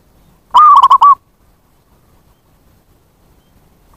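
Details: Zebra dove lure call meant to draw in wild zebra doves of any kind: one quick rolling phrase of four or five run-together coos at even pitch, with the start of a second phrase right at the end.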